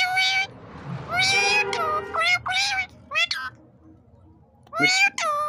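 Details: Talking parrot repeating the word "mammy", a pet bird kept indoors; several bursts of harmonic, voice-like syllables with rising and falling tones, paired notes near the start and end, faint background hum.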